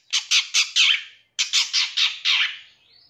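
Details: Long-tailed shrike training recording: harsh, grating squawks given in two rapid series of four and five, each note rasping and broad, followed by a faint thin rising whistle at the end.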